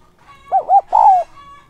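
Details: Spotted dove decoy calling to bring wild doves in quickly: one clear coo phrase, two brief hollow notes then a longer descending coo, over a faint steady high tone.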